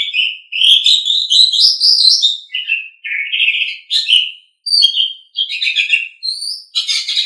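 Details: Asian pied starling song: a dense, varied run of chattering, squeaky and whistled phrases, some rising, broken by short pauses, ending in a harsh buzzy burst.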